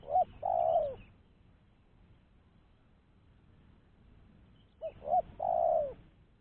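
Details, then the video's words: Spotted dove call used as a lure to attract other doves, a clean recording: two phrases of low, hollow cooing about five seconds apart, each with two short notes followed by a longer falling coo, in otherwise quiet surroundings. "Suara Burung Tekukur-Pancingan Suara Tekukur Bersih"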